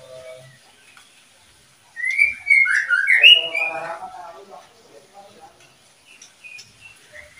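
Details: Captive oriental magpie-robin from a breeding pair: after a quiet start, a burst of clear whistled notes sweeps up and down, ending in a harsher rattling tail. Soft scattered chips follow.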